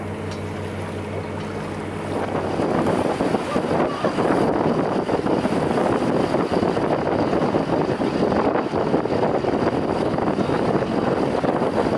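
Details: A steady engine hum gives way to loud rushing wind and water noise, like a boat moving at speed, with no animal calls.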